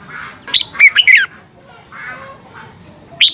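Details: Red-whiskered bulbul morning competition song, used to stimulate other bulbuls to sing: a brief cluster of bright, warbled notes near the start, then a lone chirp at the end, over a constant high-pitched hum.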